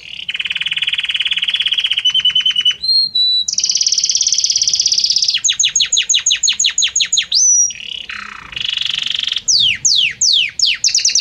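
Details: Belgian canary in full song, moving gradually from note to note: rapid low rolling trills, brief pure whistles, a high buzzy trill, series of steep downward-sweeping notes and a nasal phrase.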